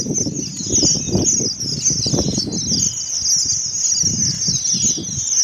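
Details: Red avadavats (strawberry finches) in Karachi singing a dense, high, thin twittering that runs without pause, over low soft thumps and fluttering of wings.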